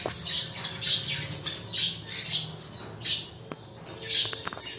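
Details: Pet cockatiels utter short, piercing squawks, roughly one every half second in loose groups, with a few sharp clicks and knocks between them.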